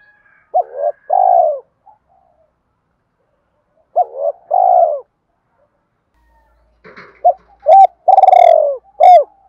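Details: Spotted dove fighting coo meant to draw wild doves in when trapping: three loud phrases, each a quick note pair and a drawn-out rolling coo, the last overlaid by sharp clicking noises.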